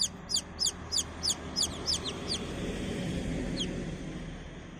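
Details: Baby chicken chicks giving high, sharply descending peeps in a quick series of about seven, then a pause and a single faint peep, over a low background hum.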